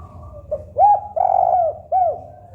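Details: Local spotted dove song: a quiet lead-in note, a bright rising coo, a long sustained coo, then a falling arched final note, over a low steady hum.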